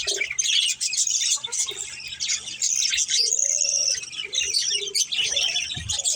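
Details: Budgerigar family chatter while playing: busy high chirps and warbling, with a few lower, short whistled notes around midway and a soft thud near the end.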